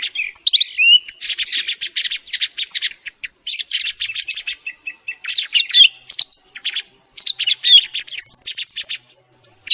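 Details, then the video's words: Thrush singing in the morning, recorded for luring birds when hunting; rapid, crowded series of shrill chirps and twittering trills, phrases running almost continuously with short gaps. "صوت سمن صباحي رائع للصيد مجرب"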